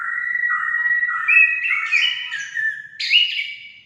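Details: Orange-headed thrush song played to stimulate pet birds to sing: a continuous run of clear whistled phrases shifting between low and higher notes, ending in a bright, rising, buzzy flourish.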